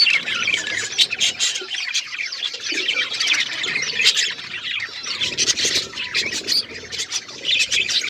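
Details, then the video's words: Budgerigars chatter over a meal of seeds, their sharp high chirps coming in rapid bursts with brief lulls, above soft low rustling. "My beautiful budgies eating seeds birds chirping sound"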